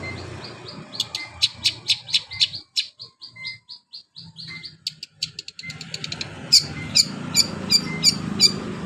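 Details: Long-tailed shrike in canary-imitating song, a long run of high staccato chirps with short gaps and a brief near-silent pause, then faster chirping resuming with sharper high notes.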